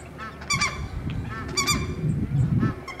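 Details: Spotted whistling duck at WWT Slimbridge giving three loud, harsh, harmonic-rich calls roughly a second apart, each a short nasal burst, over steady low rumbling background noise.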